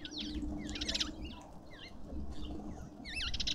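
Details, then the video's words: At a garden feeder in suburban Pretoria, South Africa, lovebirds utter scattered swooping, squeaky chirps, some down-slurred, others twisting, against a soft background hum. "Lovebirds endlessly"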